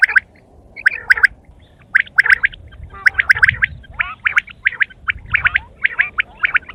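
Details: Quail chattering in harsh, gurgling bursts of clipped notes, about one burst per second, some overlapping, with a few sliding squeaks.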